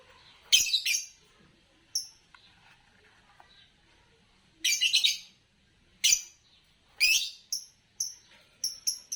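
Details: Green Fischer's lovebird with shrill, buzzy chirp bursts separated by pauses, then a quick run of short, thin, repeated pips and grating notes toward the close.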